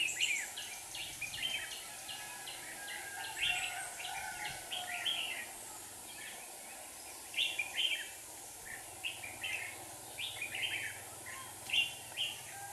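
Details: Trapping scene in Hòa Bình, Vietnam, with two decoy red-whiskered bulbuls calling in wild birds: clusters of quick warbled chirps, pauses of a few seconds between bursts, soft hiss throughout.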